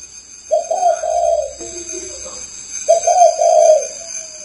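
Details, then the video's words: Spotted dove, Ba Vì area of Hanoi, Vietnam: two soft, hollow cooing phrases, a clipped note then a drawn-out rolling coo that falls away, separated by a quieter fading coo and a steady background hum. "CHIM CU KHÁCH BA VÌ HN"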